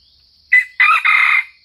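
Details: A Sumatran red junglefowl gives one brisk three-part crow: a short opening note, then two hoarse syllables that end abruptly. A thin, steady high whine runs underneath.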